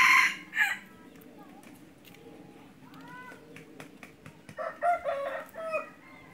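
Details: A hunting decoy junglefowl opens with a sharp, brief crow and a second short note, followed by faint chatter and voices.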